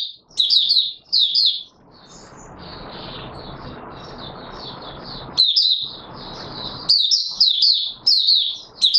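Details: Oriental white-eye (Mata Puteh Raja) in open song, 24 March 2022: high twittering bursts at the start and end, with a stretch of loud broadband rushing noise in the middle.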